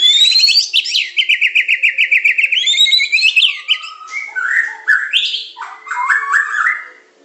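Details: White-rumped shama of the Medan type in tutor song with pancingan, macet, tembakan and isian styles: a rapid run of rising whistled notes, then lower slurred phrases and sharp high chips.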